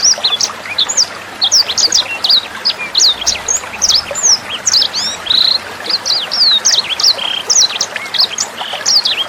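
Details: Sanger bird tutor song for training songbirds like Murai Batu, Kacer and Cucak Hijau: nine seconds of dense, energetic high chattering, with quick curling whistles repeated in tight bursts over a soft water murmur.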